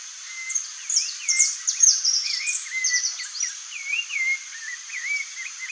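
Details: Saffron finch (Sicalis flaveola) singing: a lively run of slurred, whistled chirps and upward-sweeping notes, with sharper high twitters mixed in, over a steady high insect-like hiss.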